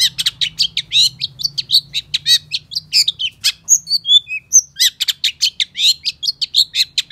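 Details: Energetic long-tailed shrike song, recorded to coax other shrikes into singing: rapid chattering bursts, then a run of clear, thin whistled notes near the middle, then more quick scratchy chatter, over a soft low hum.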